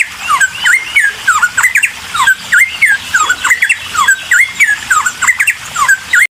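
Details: Cucak timor in lively song used to spur other birds to sing: fast repeated whistled figures, each a dipping then rising note, delivered about three per second in a steady chattering stream.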